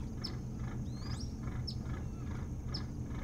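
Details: Osprey at a nest camera on a boat house, Hog Island near Bremen, Maine, 3 August 2018, around 03:13–04:13: sharp, high chirps in short bursts, roughly one per second, over a heavy low rumble and thin steady whine.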